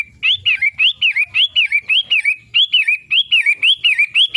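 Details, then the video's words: Long-tailed shrike delivering its daily song, a continuous loud chain of wavering whistled notes, each climbing then dropping, close to two per second, slightly raspy. "Kicau harian Pentet matahari?"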